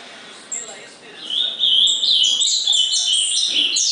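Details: An ultramarine grosbeak, recorded 19 August 2014, sings a loud, rich run of whistled phrases that warble up and down at a high pitch, with a faint background murmur.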